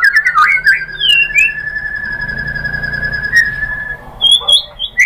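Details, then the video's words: White-rumped shama lure for provoking other birds: a few quick slurred notes, then a long sustained steady whistle lasting several seconds, followed by short scattered whistles. "MURAI BATU Langsung NYAMBER EMOSI BONGKAR MATERI ¦ PANCINGAN MURAI ¦ SHAMA BIRD"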